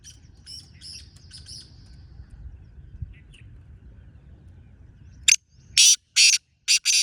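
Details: A wild black francolin calls alongside a captive francolin, a loud series of five scratchy, rasping bursts near the end, following faint high chirps of other birds.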